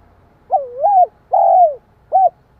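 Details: Cooing spotted dove used to excite another dove: one phrase of a wavering double note, a drawn-out falling coo and a clipped closing note, mellow and clear over faint low noise.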